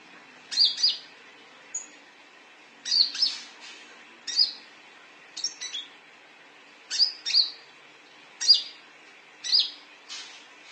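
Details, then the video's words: Lure recording of a konin sunbird: high, sharp double chirps and short bursts of two or three notes, separated by brief pauses, plus one lone thin note, with little background noise. "Suara panggilan konin"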